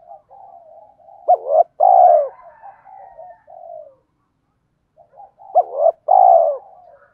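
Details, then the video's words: Spotted dove cooing, used to stimulate other doves to coo: two loud phrases about four seconds apart, each a short bent note followed by a longer, full, low croon, with softer, hoarse cooing murmurs running between them. "tiếng cu gáy kích bổi hiệu quả mỗi ngày, cu gay kich boi nhanh noi gù"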